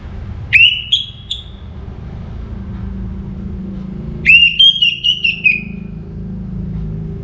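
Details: Orange-headed thrush, a kept bird from northern Bali, singing in full voice just before morning: two loud whistled phrases, each rising then sliding down, separated by a low steady background hum.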